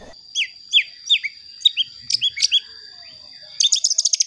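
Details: Soft white-rumped shama song meant to provoke other shamas: short descending high whistles spaced about a third of a second apart, then a rapid high trill, against a constant faint electronic tone.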